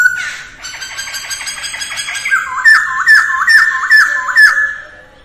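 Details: Masked laughingthrush at its daily dawn voice practice, mái ro ro style; a rough rattling opening gives way to a series of ringing whistled notes, each swooping down then up, about two per second.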